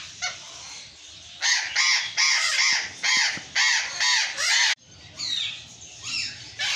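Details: Burrowing parrot (Patagonian conure) screaming: a rapid run of seven loud, harsh, nasal squawks at a steady beat, followed by softer, scratchy, wavering calls.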